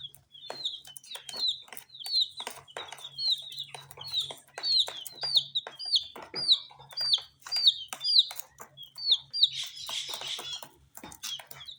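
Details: Young chickens with coloured feathers eat spicy Sun Poppers, giving a steady run of loud, clear, downward-sliding peeps about once a second, with tapping pecks and a brief rustling burst near the end.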